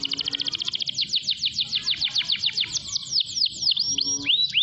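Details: Canary singing energetically to draw other canaries into song: a quick high trill that slows into drawn-out downslurs, ending with a few looping upswept whistles.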